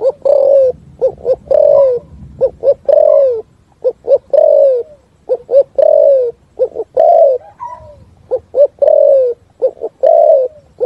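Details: Spotted dove in a forest setting, a full song of the style called thúc gù: repeated phrases of two short hollow coos followed by a long drawn, slightly falling coo, about forty phrases a minute, loud and close, with faint background hum.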